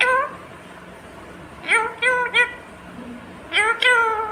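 An Indian ringneck parakeet says a few nasal, speech-like syllables in two quick bursts, one after another, with a faint low hum between them.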